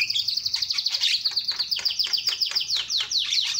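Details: Javan myna in full loud calling, used to stir other mynas into calling: a fast, unbroken run of short, sharp, downslurred notes, roughly ten per second, bright and strident throughout.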